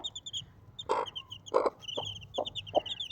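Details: Desi hen accompanied by four baby chicks gives a handful of short, low clucks spaced under half a second apart, while the chicks keep up high-pitched cheeping throughout.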